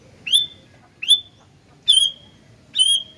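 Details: Vigorously singing sooty-headed bulbul, known locally as gentilang, giving four bright whistled notes about every 0.8 seconds, each a quick upward flick into a brief steady tone; quiet background.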